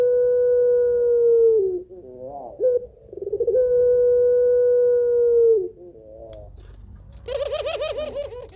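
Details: Pelung-type Barbary dove with a drawn-out, melodious, rhythmic voice calling a male: two long level coos with short bending notes between, then a quick, wavering, warbled phrase near the end.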